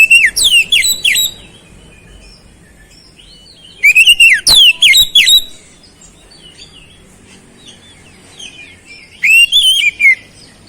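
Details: Oriental magpie-robin singing energetically, its song filled with flowerpecker imitations: three loud clusters of rapid, swooping whistled notes with falling slurs, separated by pauses of soft, thin chips.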